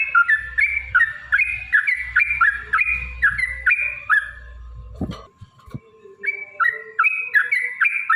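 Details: Lure song of a Yellow-vented bulbul, in the long 'ropel panjang' fighting style meant to provoke singing: two-part downslurred whistled phrases, several per second, over a low hum. A click and a steady tone interrupt before the phrases resume.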